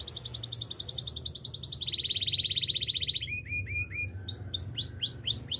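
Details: Canary song in the wild: a long, steady, very fast high trill drops into a lower rolling trill, then breaks into a row of separate swooping whistled notes.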